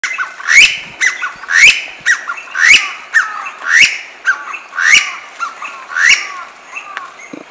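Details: Chinese bamboo partridge calling among cherry trees in full spring bloom: loud, harsh, ringing calls with a sharp upward twist, about once a second, seven in a row over a quiet background.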